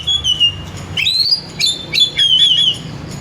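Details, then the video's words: Oriental magpie-robin song used to call and stimulate another bird to sing: a long run of loud whistled notes, rising and falling slides joined by quick chirps and trills, nearly continuous over faint low hum. "100% AMPUH PANGGIL KACER GACOR BUNYI MEWAH"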